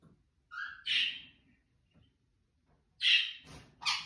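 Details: Albino female cockatiel giving loud grating screeches in short bursts, opening with a brief rising whistle-like note, then harsh screeching calls separated by pauses, over a faint low rumble.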